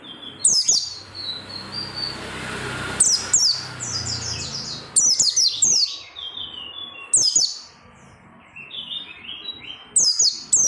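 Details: Caged oriental white-eye singing persistently, used to prompt other white-eyes to sing: high, thin, rapid twittering bursts with sharp descending notes, coming in short phrases about every two to three seconds with quieter gaps between them.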